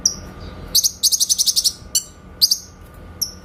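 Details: Clear 'tembakan' shots of a grey-cheeked bulbul (cucak kinoy), used as master song for shama training: a quick rattling run of about eight high notes, then separate sharp chips.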